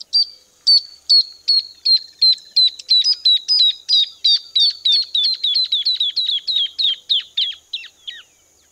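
Freckle-breasted Thornbird song: a long run of about thirty loud, sharp, high notes that speed up slightly and slide steadily lower in pitch.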